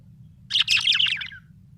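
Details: Happy budgerigar giving one scratchy, warbled chirping phrase lasting under a second, buzzy and high, ending in a slight downward slur, with a steady low hum beneath.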